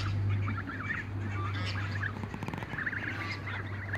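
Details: Young Toulouse geese running in a backyard give repeated harmonic honking calls in short bursts. A steady low hum runs underneath throughout.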